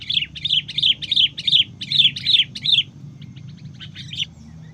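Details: Sooty-headed bulbul during decoy trapping, with a juvenile caught. A run of about nine sharp, high chirps comes in quick succession over three seconds, then a pause and a few softer scattered notes. A low steady hum sits underneath.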